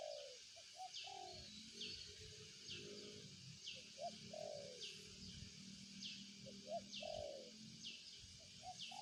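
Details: Spotted dove cooing in short hooted phrases, partly masked by low rumbling noise, with another bird's repeated high falling whistles and a continuous insect buzz.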